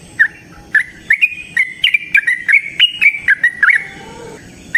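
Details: Yellow-vented bulbul in a long 'ropel panjang' song used as a training lure for other birds: sparse opening chirps quicken into a busy string of bright, slurred notes, with a faint lower chatter near the end.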